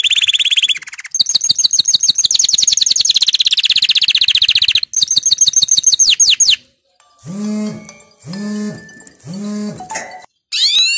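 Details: Canary singing to stimulate other canaries, with long rapid high trills and rolling tours, then a few lower, harmonic, nasal notes repeated about once a second, before high sweeps return.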